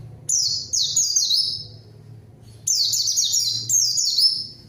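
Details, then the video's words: A white-eye's lure song meant to draw out an opponent bird, which answers at once: two clusters of high descending whistled notes separated by a quiet gap of roughly a second and a half. "PANCINGAN PLECI GACOR MANGGIL LAWAN PLECI BAHAN LANGSUNG RESPON DAN IKUT BUNYI"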